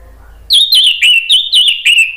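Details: Orange-headed thrush singing to prompt other birds to reply: a quick series of bright, clipped whistled notes at an even pitch, each with a sharp high edge, repeated about every third of a second.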